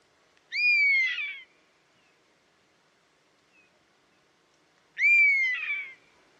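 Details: Buzzard heard in the wild with two loud mewing calls about four seconds apart, each a high whistle sliding gently downward and ending in a rougher, wavering tail, in near silence.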